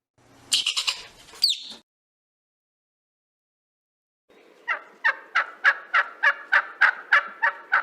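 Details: A North American wild turkey gobbles: a brief burst of harsher calls and a pause, then a rapid, rolling run of throaty notes, about three per second.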